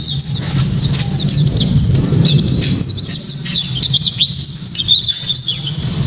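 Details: White-eye delivering loud 'tembakan' song for provoking other white-eyes and training songbirds; busy high twittering with rapid slurred notes runs nearly without pause, while a strong low hum persists below.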